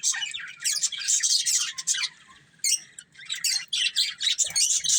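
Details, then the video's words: Pet budgerigar breeding pair giving bursts of sharp, high chirps and scratchy warbling chatter, loud runs broken by short quiet gaps around two and three seconds. "Cute Budgies Chirping Sounds"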